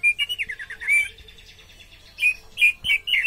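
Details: Orange-headed thrush with a good body, singing in the teler style: quick, bright whistled notes sliding up and down in a rapid run, then a pause and louder chopped phrases near the end.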